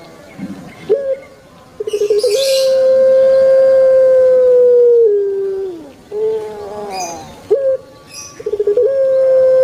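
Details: Kept puter pelung dove from Indonesia in its long 'kwok' call: a brief note, rapid pulsed stutter, then a steady hoot held about three seconds, falling slightly before ending; further coos and another stuttering start follow.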